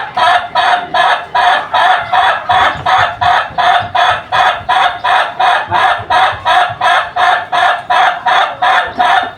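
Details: Long chicken crow as a steady, highly regular stream of short harsh pulses, nearly three per second, continuing unbroken for over nine seconds.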